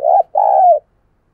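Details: Caged decoy dove cooing to lure wild doves: two low, mellow coo notes, a short one then a longer drawn-out note, in a quiet setting.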